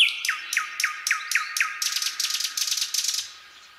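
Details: Nightingale singing on a quiet midsummer night: six repeated downward-slurred notes, then a fast, dry rattling trill of buzzy strokes that fades into stillness.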